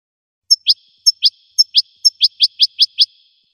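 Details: Goldfinch singing: a short high note followed by a slurred downward chirp, the pair repeated about every half second and then speeding into a quick run of downslurred notes. The background is completely silent.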